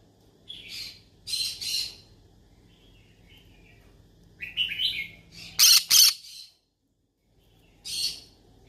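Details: A yellow-sided conure calling for friends: paired buzzy chirps, chattering notes, then two very loud harsh squawks in quick succession, a pause, and one last rasping call.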